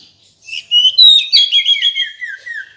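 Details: Female decu bird calling: a bright burst of chirps and whistled notes, mostly high, that step down in a descending series of slurred whistles over about two seconds.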